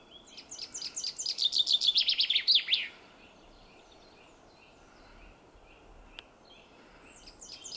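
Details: A common chaffinch singing in a forest gives one bright, three-second song: descending phrases speed into a rattling run and end in a quick flourish. Faint calls from other birds follow.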